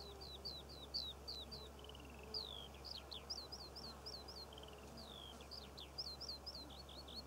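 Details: Eurasian skylark singing over Cornwall's poppy fields in June 2014: strings of quick high chirps broken by downslurred whistles, continuous and lively, over a steady low hum.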